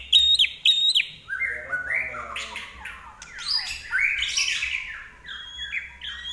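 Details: Common iora song in full flow: two sharp, high double chips open, then a rapid tumbling sequence of whistled slurs and trills rising and falling, ending with clear level high whistles.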